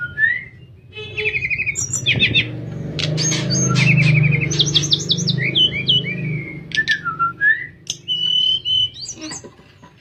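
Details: Sooty-headed bulbul in nyuling song for training other birds; pure whistled notes, short trills and rising slurs follow one another steadily, accompanied by a low droning hum through the middle.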